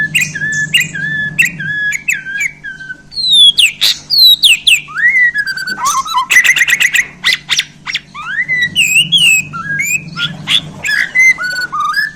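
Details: Borneo white-rumped shama giving a long, varied 'isian' song after being handled: whistled phrases, steep downslurs, dense clicking bursts and rising sweeps, alternating loud and soft, with a low background hum.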